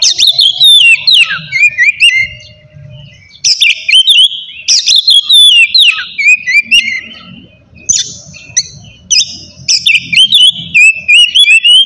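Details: Oriental magpie-robin (kacer) in loud, full ngeplong song, used to provoke rivals or quiet birds into singing: bursts of rich whistled phrases with sharp upslurred notes, each burst lasting one to two seconds, separated by short pauses.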